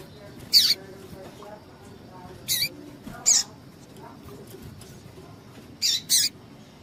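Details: High, slightly downslurred chips from a female double-collared seedeater, a call used to excite males, singly and then as a close pair, with faint low murmuring between.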